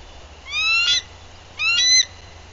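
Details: On-guard female bald eagle newly arrived at the nest, Bluff City, Tennessee, April 2023, livecam: two loud bursts of high, thin, rising chittering notes about a second apart, each lasting roughly half a second.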